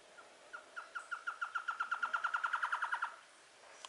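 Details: In the morning near the end of the dry season, a Black-headed Trogon near Las Catalinas, Costa Rica, by the only stream still holding water, sings about twenty hollow, clucking notes that speed up and grow louder before stopping abruptly.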